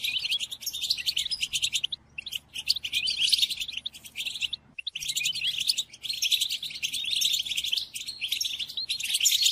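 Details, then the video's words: Song of the European goldfinch played to captive goldfinches for learning: busy, ringing twitter in repeated phrases with short silences near two and five seconds, buzzy and bright, low hum faintly present. "قدم هذه الآصوات لطائرك الحسون"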